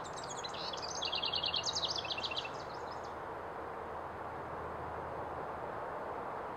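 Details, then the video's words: House wren song: one burst of about two and a half seconds of rapid, bubbly, high chattering notes tumbling downward in a jumbled cascade, then quiet, over a steady low rumble of background noise. "Chant du troglodyte familier/Song of the House Wren"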